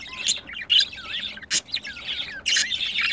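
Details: Two pet budgerigars, caught while mating: bright warbling chatter with wavering whistled notes and short scratchy bursts, broken by sharp high clicks.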